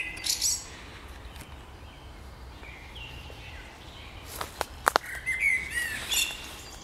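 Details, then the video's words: Spring birdsong outdoors: a short high chirp burst at the start, then a quiet stretch, then a lively cluster of sharp clicks and bright warbled notes between four and six and a half seconds. "Wiosenny śpiew ptaków"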